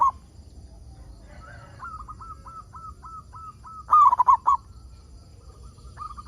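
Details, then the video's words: Local zebra dove singing steadily, used as a lure to prompt other zebra doves to sing: one loud burst of about five quick, throaty cooing notes, preceded and followed by a long run of softer, evenly repeated short coos from another dove. "Perkutut Lokal Gacor Suara Paling Ampuh Untuk Pancingan Burung Perkutut Agar Bunyi"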